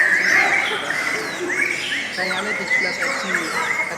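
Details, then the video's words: Lovebird chattering in quick, rhythmic bursts of squeaky chirps with short upward and downward slurred whistles, repeated almost four times a second, running steadily without pause. "LOVE BIRDS suara yang indah dan Panjang"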